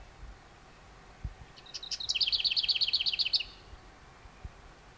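Lesser whitethroat nestlings give a quick, high burst of about a dozen thin, scratchy chips lasting under two seconds, over faint background hiss.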